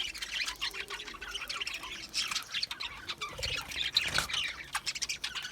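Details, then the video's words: Continuous budgerigar chatter of quick squeaky chirps and short warbled notes, overlapping from several birds, with a couple of soft low knocks midway. "Budgie chirping sounds"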